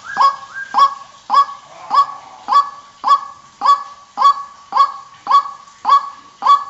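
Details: A white-breasted waterhen lure recording for daytime use: harsh, nasal "kru-ak" notes, each with a quick upturn, repeated steadily about every two-thirds of a second in a long run.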